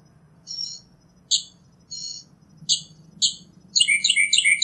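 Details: Northern mockingbird singing in nature: spaced short high chips, then a fast run of bright slurred notes, against a soft low hum.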